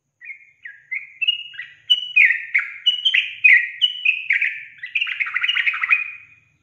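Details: Sooty-headed bulbul lure song used to provoke untrained bulbuls into singing: short whistled phrases stepping upward, quickening into a rapid bubbly chatter of mellow notes over about six seconds, with no other sounds.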